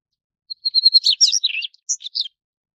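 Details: Single short Daurian redstart (Phoenicurus auroreus) phrase: a few rapid, evenly spaced high ticks leading into a dense tumble of scratchy twitters and squeaky notes, ending abruptly after about one and a half seconds in quiet surroundings.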